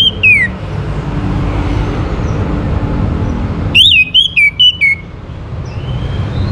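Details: Orange-headed thrush song used to prompt other birds to sing. A falling whistle is cut off at the start, then one full phrase of clear whistled notes with wavering, stepped pitch, set against steady low rumbling noise.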